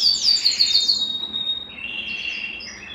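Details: Belgian canary song for stimulating males and readying females to breed; opens with a rapid series of descending high chirps, then a sustained whistled tone fading into a softer lower warble.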